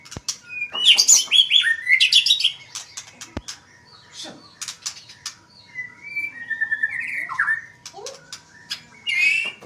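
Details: Magpie-robin song with a rich, varied voice: rapid bursts of high, clear whistles and sharp chips in two busy phrases, with descending slurred notes and brief quiet gaps between them.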